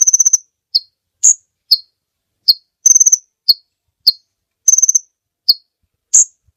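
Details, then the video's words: Kolibri ninja sunbird singing on a master recording used to train other songbirds: sharp high chirps and short rapid trills spaced about half a second apart, some notes dropping slightly in pitch, no other sounds. "Suara Burung Kolibri Ninja Pikat gacor Durasi Panjang mantab buat masteran"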